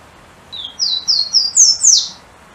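Golden-crowned Warbler singing a quick series of six high, clear whistled notes, each climbing higher and ending with a bright upslurred flourish; quiet background.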